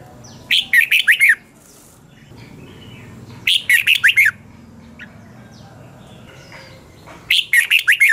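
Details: Red-whiskered bulbul repeating its morning song in 'double-twist' voice, 2020, as a training lure: three quick phrases of five or six looping, bright notes roughly every three seconds, with faint chirps between.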